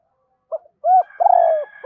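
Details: Decoy spotted dove kept as a lure bird, cooing: a short low note, then a clear hooting coo and a longer drawn-out note sliding slightly downward, all low and mellow, in a quiet indoor setting.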